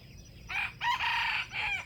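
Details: Wild junglefowl rooster crowing while lured to a bait trap, competing with other wild chickens: a short opening note, a pause, then a long harsh sustained middle phrase and a falling final syllable, all within about a second and a half.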